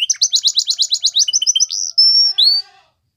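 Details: Belgian canary training song for youngsters: a regular series of about fifteen bright upswept notes, accelerating slightly, then a long pure whistle and a final rising slur fading out.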